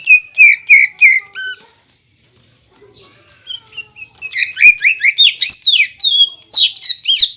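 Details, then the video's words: Greater green leafbird in full song, meant to stir other leafbirds into singing: a run of sharp, bright notes repeated about three times a second, a short pause, then a denser burst of rising and falling chips and whistles. "CUCAK IJO GACOR BONGKAR ISIAN DAN TEMBAKAN RAPAT BIKIN CUCAK IJO KALIAN EMOSIAN"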